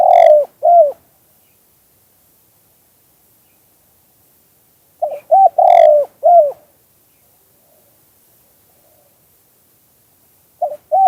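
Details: Spotted dove, two-kuk-hoi song style, natural sound. Mellow low coo phrases, each a few clipped notes ending in a long falling coo, recur about every five seconds with long silent gaps.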